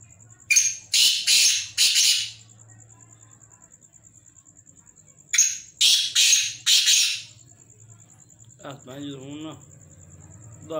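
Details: Harsh rasping calls from several black francolins: a series of four grating notes, a pause of about three seconds, another four-note series, then softer wavering harmonic sounds near the end.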